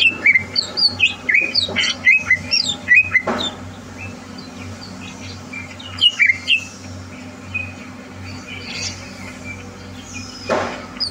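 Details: Greater green leafbird kept in a cage and trained for competition, recorded 30 November 2022; a burst of quick chirping, whistled phrases, then quieter gaps with a few short notes, a low background hum throughout.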